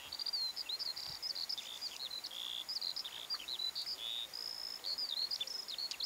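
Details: Spring skylark song in March over Ardnish, heard from kayaks on a loch: fast, high, tumbling run of chirps, trills and short whistled notes, sustained without pause, over light background noise.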